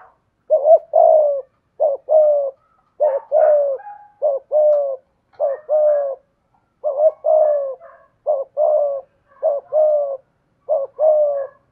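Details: Spotted dove kept as a decoy bird, singing in the 'giọng thổ' style: a steady run of paired low coos, each a quick clipped note then a drawn-out descending one, about twelve pairs in a row.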